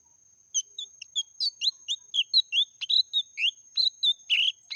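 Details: Meratoh-style song of a lesser green leafbird: after a short pause, a quick run of varied whistles, slurred chirps and a few harsher notes, delivered without break against a faint constant high-pitched tone.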